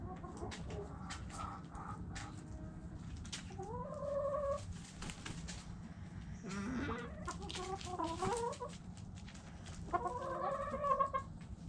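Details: Chickens clucking: several loud, harmonic, wavering calls around four, seven to eight and ten to eleven seconds, over a steady low rumble with scattered clicks and scratchy noises between calls.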